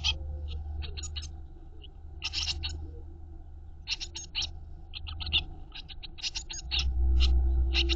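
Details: Blue tit nestlings inside a nest box, fed by the mother, give clustered high rasping begging bursts in irregular groups over a strong low hum that swells near the end.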